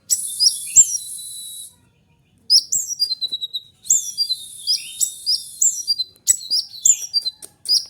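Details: Oriental magpie-robin, or konin, singing loud high whistled phrases and buzzy chirps, with a brief silence near the two-second mark, then fast varied bursts of sharp notes.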